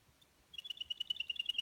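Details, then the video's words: A Russian canary, a male of the Russian song-canary breed, sings a fast, even trill of high chirping notes, about ten a second, starting after a half-second of quiet. "Русский кенар поёт CANARY SINGING"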